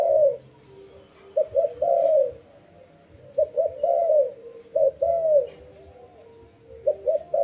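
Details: A dove delivers low coos in phrases of two brief notes leading into a long, slurred, sinking note, the phrases spaced about a second and a half apart.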